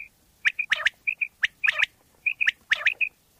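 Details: Pakistani common quail calling for quail hunting: sharp high pips in pairs and threes mixed with brief rasping bursts, arranged in phrases roughly a second apart.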